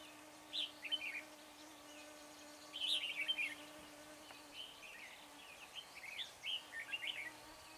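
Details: Red-whiskered bulbul decoy luring wild birds during trapping at Chùa Hương on 24 March, with several separate clusters of warbled, chirping whistles spread across the recording and a low constant hum beneath.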